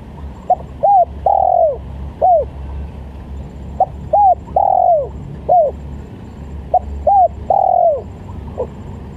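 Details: Spotted dove call used to lure doves: soft, low cooing phrases, each a short note, a paired note and a long drawn-out downslurred coo, repeated three times at steady intervals over a faint low hum.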